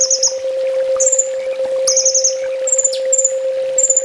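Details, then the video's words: Master recording of a sunbird used for training: short high trills and thin whistled notes, with one steep falling chip, over a steady mechanical hum. "Suara masteran burung kolibri ninja full tembak"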